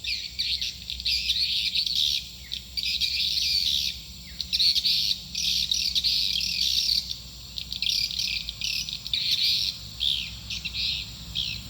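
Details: Swiftlet calls used to lure swiftlets into a nest building: dense, high, twittering chirps in clustered bursts separated by brief quieter gaps, with a faint steady hiss in the background.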